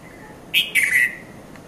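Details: At dawn in Mount Lavinia, Sri Lanka, a red-vented bulbul (Konda Kurulla) gives one brisk two-part chirp, a clipped note then a drawn-out bubbly one, against a low constant background murmur.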